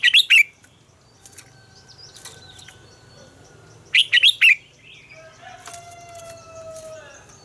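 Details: Red-whiskered bulbul singing in the morning as a training voice: two bursts of rapid, bright warbled notes several seconds apart, followed by a long, steady rooster crow in the distance.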